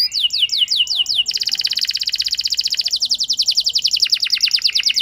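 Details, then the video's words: Lure song of a canary meant to make a reluctant bird answer and sing long: a few looping whistled notes, then an extended rapid buzzing trill that steps lower partway through. "Pancingan Ampuh Bikin Gacor Kenari Kurang Emosi! Jadi Gacor Panjang"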